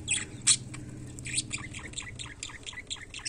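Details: Budgerigar in everyday life giving a quick series of short chirps that sweep up and down, some squawky, about four or five per second, over a steady low hum.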